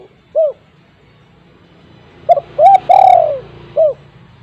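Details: Spotted dove at home giving a lure call to stir silent doves: an isolated short coo, quiet gap, then a full phrase of two rising notes, a long descending coo and a closing short note.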